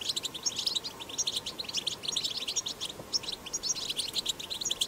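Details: Wild European goldfinch recorded in the field, singing the strong twittering style known locally as batbata, used to stimulate goldfinches to sing: a continuous rush of bright, high tinkling chirps and buzzy trills with no pauses, over a faint steady background hiss.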